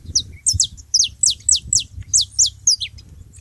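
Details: Saffron finches together at a feeding spot, making noise: a rapid run of high, sharp, downslurred chirps, about four per second, over a faint low hum.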